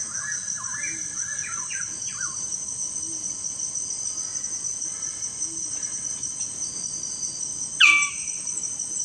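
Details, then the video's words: Magnificent bird-of-paradise at its lek arena gives soft, quick warbled notes, then one loud, harsh, downslurred call near the end, over a steady high insect drone. "Magnificent bird of paradise: At lek arena"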